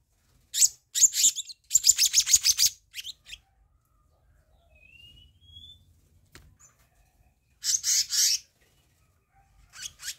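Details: Black-naped monarch training and lure track: a string of sharp, rapidly repeated harsh chatter notes, then near silence with one faint thin whistle, followed by another short chattering burst and a final few notes.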